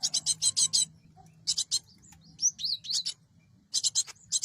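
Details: Cinereous tit, a lure recording for trapping birds. Rasping buzzy chatter notes open and close the passage, with a few thin, sweeping whistled notes in the middle.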